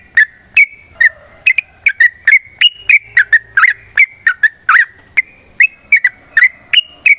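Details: Sooty-headed bulbul's long fighting song, used as a lure to make other birds answer: spaced, bright whistled chirps, some rising, some falling, in an irregular run, with a faint steady high whine behind.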